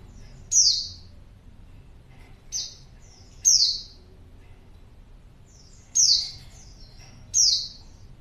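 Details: Female white-eye calling to attract a male, sharp high downward-sliding notes given irregularly, five loud calls with quiet gaps, faint lower chirps and low steady hum behind.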